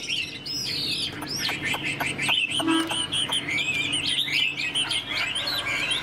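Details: Tame caged Chinese hwamei singing with tail fanned, in ngũ trường style: loud varied whistled phrases, looping upslurs and downslurs with sharp clicks and chips, steady background hiss.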